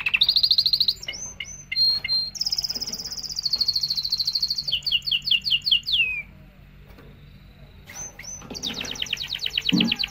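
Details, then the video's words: Canary song meant to excite females for mating: a buzzy high trill, short upslurred whistles, a long sustained trill falling into quick descending notes, a pause, then renewed rapid trilling. "تغريد طائر كناري لتسميع الفراخ و تهييج على التزاوج"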